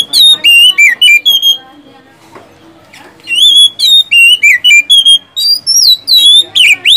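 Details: Oriental magpie-robin in full song, used to coax sluggish caged birds into singing: loud varied whistled notes, some rising and some falling, delivered in rapid bursts with a short quieter gap midway.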